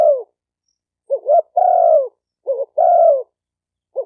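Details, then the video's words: Spotted dove coo for training newly caught birds: low, mellow phrases, each a short hiccuping double note followed by a long drawn, slightly falling coo, with clean silent gaps and no other sounds. "Tiếng chim cu gáy tập bổi chuẩn nhất chim hay"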